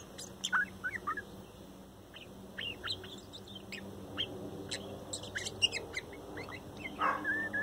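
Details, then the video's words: Gentle morning song of a young male bird, a chick from the fourth nesting of 2019: scattered bright chirps and short whistled slurs in loose bursts, with quiet gaps between, over low background hum. "rocket song last day"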